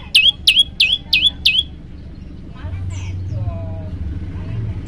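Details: Olive-backed tailorbird song used as a tutor for other birds: five fast, ringing notes with sharp downward slurs, then quieter faint chirps and a rising low rumble.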